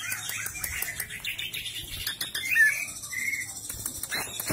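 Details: Greater green leafbird singing in lively 'gacor ngentrok' style, recorded as a master reference for tutoring other songbirds: scattered chirps and rustling, then a couple of clear, drawn-out whistled notes midway, followed by more busy twittering.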